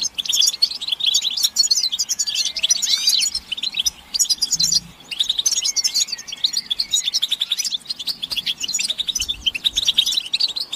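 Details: Several European goldfinches chirping in a stimulation recording meant to make males sing: dense, jangling high twitters and trills, a brief lull near five seconds, then the rapid chatter resumes.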